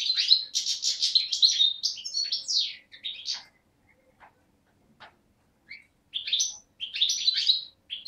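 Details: Young 2011 European goldfinch from Beni Snassen, Morocco–Algeria border, recorded 8 January 2012; dense twittering phrase for three seconds, a gap with a few soft clicks, then renewed bright chirping bursts.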